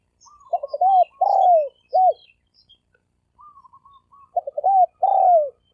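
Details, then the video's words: Spotted dove giving its thổ sấm đồng coo, used as a lure for both sexes: two phrases of soft stuttering notes, a sustained sliding coo and a short end note, with faint high chirps from other birds. "Tiếng chim cu gáy thổ sấm đồng gù gáy kích trống kích mái kích bổi"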